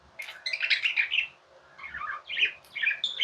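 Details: Tame budgerigar chirps in short warbling phrases, bubbly and buzzy, separated by brief quiet spells, indoors.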